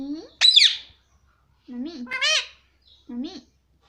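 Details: Pet Indian ringneck parakeet talking indoors, repeating "mummy" in a high, nasal, parrot-like voice: three short wavering utterances with pauses between, the middle one loudest and shrill.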